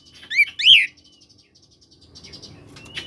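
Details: Oriental magpie-robin, koslet type, singing as a lure for magpie-robins that are slow to sing: two loud rising-falling whistled chirps, then a faint ticking buzz.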